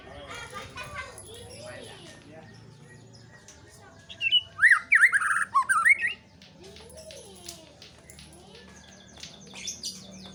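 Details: White-rumped shama delivering one loud burst of quick, varied whistled notes lasting about two seconds, rising and falling sharply, set against faint continuous chirping and a low hum.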